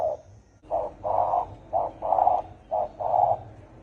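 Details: Deep 'thổ ồm' style cooing of a spotted dove used to stir up wild doves; low coos alternate short and drawn-out, about one per second, over a faint background hum.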